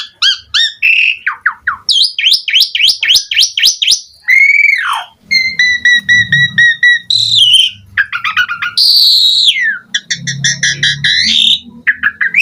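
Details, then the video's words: Long, varied Asian pied starling performance in full style: rapid rising chirps, a swooping whistle, a steady double-toned whistle, harsh rasps and warbled passages, with a soft low murmur in the background. "JALAK SUREN GACOR FULL ISIAN Mompa"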